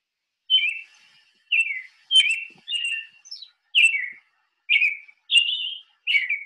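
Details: American Robin song of clear, whistled, caroling phrases, each short and slightly falling, repeated about every second in a steady, cheerful series against a quiet background.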